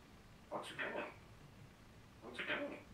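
A parrot gives two short bursts of talking, each a quick, slightly raspy string of word-like syllables about two seconds apart, in a quiet room.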